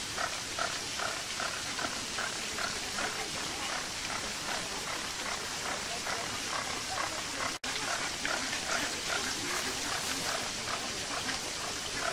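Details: Flamingos at Marwell Zoo in the UK: a continuous chatter of nasal, honking calls, about two or three a second, half-buried under the steady splashing of a fountain, with a brief dropout midway.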